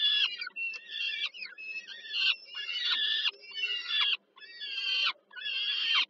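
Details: Peregrine falcon chicks fed by the female at dusk, Żerań, Warsaw, Poland, mid-July 2022; rough screeching calls roughly once a second, each harsh and buzzy with a dipping tail, a low hum behind.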